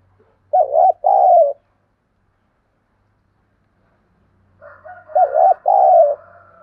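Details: Spotted dove calling to incite wild doves and decoy birds to coo back and fight: two low hooting phrases about four seconds apart, the second preceded by softer lead-in notes, with a faint low hum.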